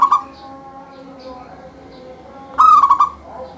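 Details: Lively song of a local zebra dove, meant to encourage other doves to sing. A phrase ending opens the recording, then one full phrase follows: a clear note tumbling into fast rolling coos. Faint chirps and murmurs are in the background.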